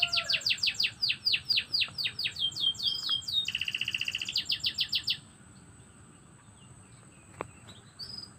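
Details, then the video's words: Canary singing in the morning: about five seconds of loud, quick down-slurred chirps and a rapid rattle. The song then stops, leaving near silence with one faint click and a brief high note. "Kicauan kenari yg merdu untuk pagi hari"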